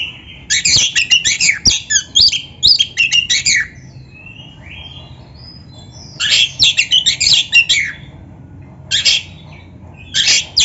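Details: Kacer, the Oriental magpie-robin, in vigorous training-master song: dense bursts of harsh chatter mixed with whistles, each burst lasting up to three seconds, separated by quiet pauses. A fainter slurred whistle fills one gap.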